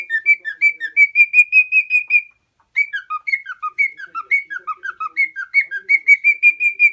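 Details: Tame male lutino cockatiel, four years old, kept as a pet in Minoh, Osaka, Japan, sings a whistled song. A row of level, clear whistles is followed by a short gap, then bouncing falling-and-rising slurred notes, about three per second.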